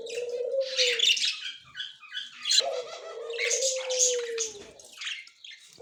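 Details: Recorded October 30, 2024, a white male and yellow-green female budgerigar chatter in high scratchy warbles over long, low, smooth sustained tones lasting over a second each.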